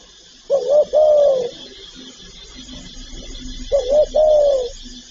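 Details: Spotted dove calling and cooing: a pair of low, hollow phrases roughly three seconds apart, a short wavering double coo then a long even coo, against constant hiss and soft low murmurs.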